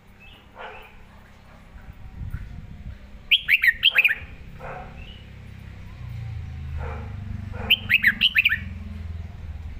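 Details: A red-whiskered bulbul gives bright, bubbling, clearly doubled phrases of quick rising and falling whistled notes, used for teaching other birds.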